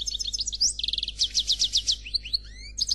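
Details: Faultless Khalwi song of a black European goldfinch: quick high chirps, then a run of evenly repeated notes, then slower louder rhythmic pulses, ending with upward-sliding whistles and a final twitter, all over a soft background hum.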